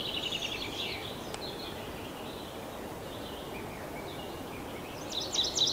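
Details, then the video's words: In a forest park, a tree pipit opens with a fast run of repeated high notes; faint phrases follow, then a louder, jumbled high trill closes over steady background hiss. "Голоса птиц - Лесной Конек, Tree Pipit"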